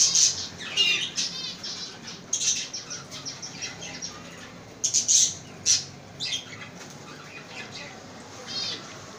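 Lovebirds chatter in shrill, high squeaks and harsh chirps in bursts. Louder squawks come around the fifth and sixth seconds, over a faint hiss.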